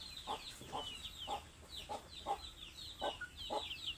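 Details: Hungry chickens clucking in short, evenly spaced notes about twice a second, with thin, higher peeping chirps scattered above the clucks throughout.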